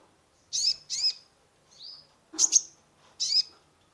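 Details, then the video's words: Sunbird (kolibri ninja) singing as a lure for a stressed caged bird: two quick bright chirps, a soft falling whistle, a doubled sharp note, then another chirp, all very high and clean. "Terapi pancingan konin gacor full isian mengatasi burung stress !!"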